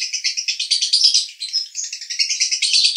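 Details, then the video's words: Male lovebird in a long rolling song style called konslet, recorded at Cibinong, Bogor: a continuous fast chatter of high buzzy chirps pulsing roughly five times a second without pause. "Lovebird Jantan Konslet"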